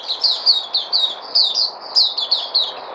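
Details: White-eye (Puteh), recorded 03082020, repeating quick high downslurred chirps about four to five per second in an even, chattering rhythm.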